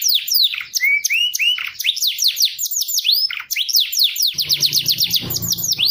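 A canary sings a fast, unbroken stream of high, sweeping whistles and rolling trills, with a faint low hum entering near the end.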